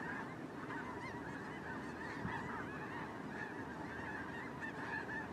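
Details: Snow geese on migration, a large flock heard together: a dense, continuous chorus of overlapping nasal honks and yelps, high and busy throughout, with a steady low rumble of wind or drone noise beneath.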